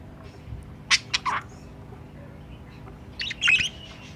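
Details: Budgerigars at their nest box, a possible breeding pair in captivity, give a few sharp, quick squawks early on, then a burst of warbled chatter after a quiet gap.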